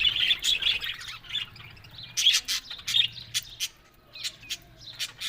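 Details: Budgerigars, described as happy and talking, give separate bursts of high scratchy chirps, first in a quick cluster, then in spaced single notes.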